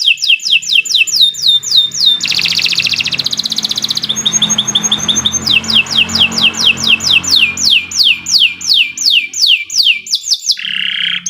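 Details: Canary in long gacor song, used as a lure to get pet birds singing: rapid series of sweeping downward whistles, broken by buzzy churring bursts and a short whistled trill, ending in a lower rasping note; faint hum beneath.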